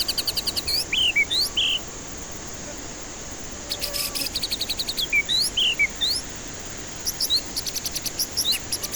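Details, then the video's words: Lure song of a white-rumped shama for stressed, lazy-singing birds: scattered sweet whistles and upslurred notes mixed with bursts of rapid high ticking trills, with a short pause midway. "Pancingan murai batu ampuh cocok untuk pancingan murai batu stres malas bunyi"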